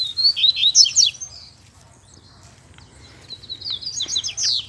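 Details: Wild double-collared seedeaters in the bush, with a chick heard calling nearby; two bursts of fast, high twittering and warbled notes, a loud one at the start and a second near the end, with silence between.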